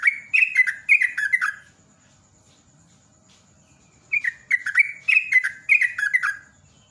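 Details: Rapid 'ropel' style song of a yellow-vented bulbul: bursts of liquid, bubbly, descending whistled notes in two runs separated by a two-second pause, over faint low hum.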